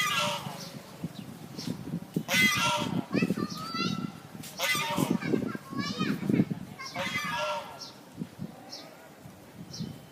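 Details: A pair of pet geese at a college in Phnom Penh give loud, harsh honks in three bursts, each a quick run of strained, nasal notes, over a steady murmur of voices and chatter.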